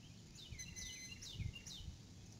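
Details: Adult female eagle calling out at her nest before flying off again, early April evening, live nest camera; two series of sharp, high, falling chirps with thin whistled overtones, plus low rumble and soft knocks.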